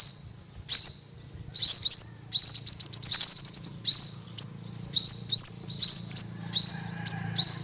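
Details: Repeated high, sharp upward-sweeping notes from an olive-backed sunbird, in clusters of two to several, with one quick rattling run of chips; a faint low hum underneath.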